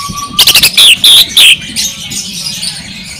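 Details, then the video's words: Greater green leafbird singing a 'tembakan' (shooting) style burst: a rapid run of loud, clipped high whistles followed by three strong descending slurred notes, with a steady chorus of other birds chattering in the background. "CARA BUAT BURUNG CUCAK IJO CEPAT GACOR SUARA TEMBAKAN"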